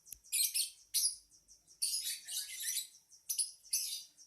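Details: Lovebird singing in short, high, scratchy chirp bursts separated by brief silences, with a longer chattering run in the middle.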